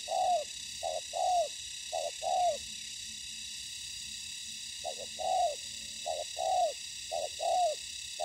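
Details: Spotted dove acting as a ground decoy in trapping, encountering fighting wild doves: short bursts of low cooing, a clipped note then a longer falling coo, in two runs separated by a brief pause, over a steady high hiss.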